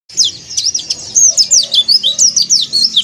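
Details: White-eye in breeding condition calling out to rivals: a rapid, high, twittering stream of sharp downward-swept notes, about three per second, loud and close.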